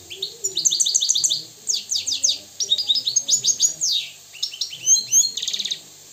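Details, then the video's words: European goldfinch of Moroccan origin, living free, sings pulsing series of sharp repeated chips and sweeping slurs, ending with a short buzzy rattle. "استمع واستمتع الى طائر الحسون المغربي الحر الاصيل"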